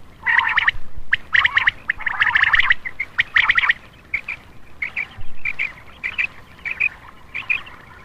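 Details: Common quail lure call used at night to attract males: a dense run of harsh, chirping squawky bursts over the first four seconds, then shorter single chirps repeated roughly every half second.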